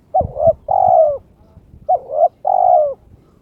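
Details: Pet spotted dove, aroused and challenging an opponent, gives two mellow cooing phrases. Each opens with a brief two-part note and ends in a drawn-out, level coo; faint low thumps at the start.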